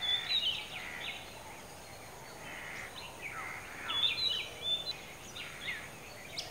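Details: An Oriental magpie-robin perched about 15 m up on a dead coconut tree at Kankavli, Sindhudurg, Maharashtra, sings scattered clear, high whistles and short slurred phrases with gaps between, over a steady outdoor hiss.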